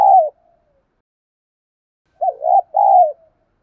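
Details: Decoy spotted dove cooing to lure and challenge wild rivals, 'giọng thổ' voice; the tail of one coo, then after a pause a fresh phrase of a short wavering double note and a drawn-out low hoot.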